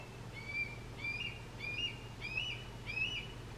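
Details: Young Red-tailed Hawk calling for its parents, giving five thin, high, slurred whistles in a row, roughly one every two-thirds of a second, over a faint low background hum.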